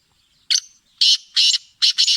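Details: Black francolin (kala teetar, Sindhi) singing a harsh, scratchy phrase: a short introductory note, then three loud grating notes and a doubled final pair, evenly spaced about every half second, with no other sounds.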